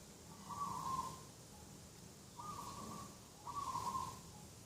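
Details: Morning cooing of a dove beside a garden, 2 October 2021: three level, sustained coos roughly a second and a half apart against a quiet, steady background.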